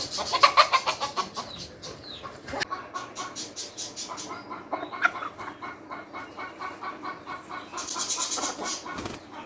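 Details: Hens cluck in quick, uneven bursts of about three a second, with sharper squawks mixed in and a busy farmyard hiss behind.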